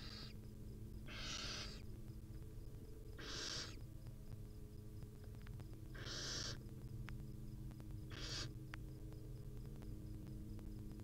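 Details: Barn owl mother and chicks, wild, huddled together: a series of five breathy, hissing screeches spaced roughly two seconds apart, fairly even in length, over a droning low hum.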